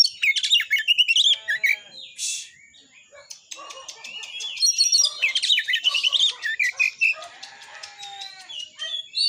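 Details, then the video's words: Provoking song of a kacer, the white-rumped shama, to make shamas sing and fight: bursts of varied whistles and chatter, a harsh rasping note, pauses, then dense quick phrases. "TEMBAKAN BURUNG KACER GACOR FULL MATERI .AMPUH BUAT NAIKAN EMOSI KACER, langsung gacor tarung.."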